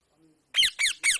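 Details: Indian parrot, described as enjoying itself and making natural talking sounds: three loud, harsh, downward-sliding screeches in quick succession after a brief quiet moment, with no other sounds.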